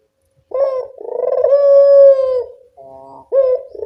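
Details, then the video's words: Barbary dove in the evening, call used to lure lazy callers: a short rising coo, then a long, sustained, slightly falling coo, a soft lower note and a fresh onset. "Suara burung puter senja hari pemikat burung puter malas bunyi"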